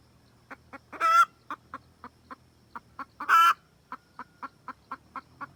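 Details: Red junglefowl hen cackling to summon a rooster, a decoy recording for trapping: two loud, rasping cackles close together amid rhythmic short clucks, over a faint low hum.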